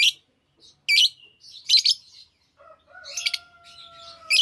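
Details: Many active lovebirds give sharp, shrill chirps in short bursts separated by brief pauses, with softer twittering between and a faint steady whine in the background later on.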